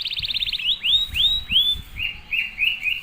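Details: Canary singing, played to teach young canaries: a quick stuttering trill followed by four loud upswept, arched whistles and softer lower warbled notes, with faint low rumbling behind.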